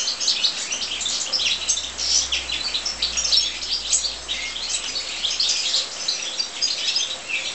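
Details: Aviary-kept European goldfinches, busy liquid twittering of many quick high chirps and short buzzy notes running continuously, with a soft low hum underneath.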